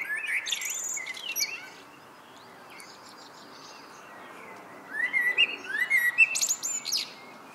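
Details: Common blackbird singing in the evening: fluted, warbling whistled phrases followed by high, squeaky twittering flourishes. A quieter pause comes midway before a second burst of rapid whistles and chirps.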